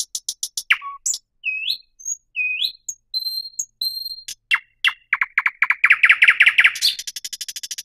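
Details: Thrush nightingale in full song, mixing sharp ticks, rising whistles and pure high notes, then loud clicks that run into a rich, fast rattling trill ending in very rapid high ticking.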